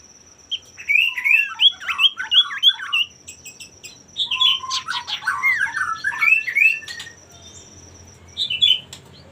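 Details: Male common iora singing energetically, used to get rival birds singing: quick bursts of chattering, twisting whistled notes in two rapid runs, ending with a brief pause and a last short note, over a steady high hum.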